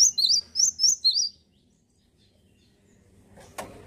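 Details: Male cinereous tit, a lively, persistent singer, giving five high, sharp two-part whistled notes in quick succession, then falling silent; a soft knock near the end.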